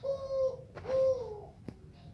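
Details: Melodious zebra dove song with two long, level coos at a low, even pitch, separated by a short pause, followed by a soft click and quiet room background.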